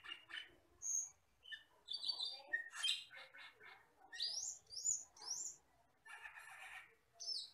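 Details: Asian glossy starling, a wild forest bird, on a tutor recording for training caged birds: a varied run of clear rising whistles, thin high pips and scratchy chattering notes, about one phrase every two seconds.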